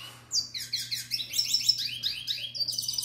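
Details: Canary from the 2021 brood singing to a female in breeding season: rapid series of rising and falling whistled slurs and chirps running together without pause, over a faint low hum.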